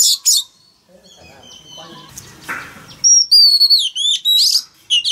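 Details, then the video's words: A male Oriental magpie-robin sings loud, clear whistles and sweet slurred notes, rising and falling in quick bursts, sung to prompt a young bird to sing along; a faint murmur is heard in the background. "Choè than trống hót réo"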